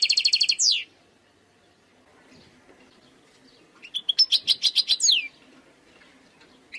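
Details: Wild European goldfinch singing: a quick burst of buzzy, tinkling notes ending in a falling sweep. A quiet pause follows, then a second rapid twittering phrase of about ten notes that also closes with a descending slur.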